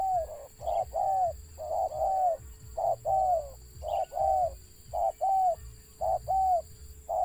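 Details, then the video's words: Wild spotted dove stuttering: loud, fairly regular series of paired and single rounded coos, many curving downward, about fifty-six per minute, over a low steady hum. "BURUNG TEKUKUR LIAR ADA GAGAP NYA"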